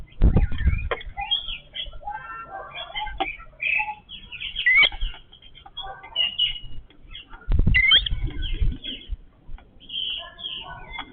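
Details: Several Yellow-billed babblers of one family call while feeding together. The chatter is dense and scratchy, with squeaky notes, and low bumps are heard at the start and near the middle.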